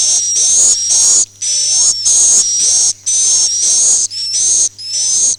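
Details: Swiftlet call in the 'Akau ngaji' style: harsh, hissing high chirps in pairs and singles, each carrying a thin whistled tone that often bends slightly, repeated steadily with short silent gaps.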